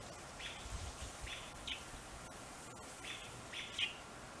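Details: American robin fledgling that fell from the nest, calling while its parents feed and protect it: short, high chirps in a loose series about twice a second, over a low outdoor rumble.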